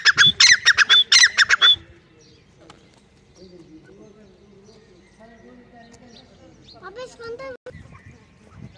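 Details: A francolin (dhakni teetar) gives a burst of about eight harsh, grating squawks in under two seconds, then falls silent, followed by faint voices and other quiet sounds.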